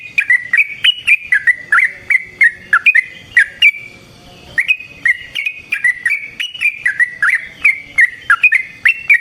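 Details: Yellow-vented bulbul in energetic fighting song, played as a lure and master song for other bulbuls; a long, nearly continuous run of liquid, bubbling whistled notes with one short break.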